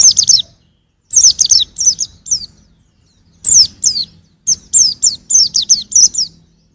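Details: Young white-eye from 2021 delivering lively phrases of bright, high, down-slurred chirps in quick succession, with short gaps between groups of three to eight notes.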